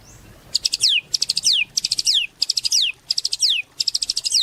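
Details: White-rumped shama singing actively, used as a lure to get other shamas singing: high phrases of rapid pulsed notes, each ending in a clear descending whistle, repeated about every half second with short gaps.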